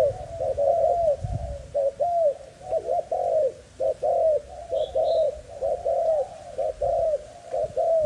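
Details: Young male spotted dove of Malaysian stock, broken-winged yet spirited, delivers a long run of rounded coos roughly one per half second, evenly paced, with a faint twitter of small birds in the distance.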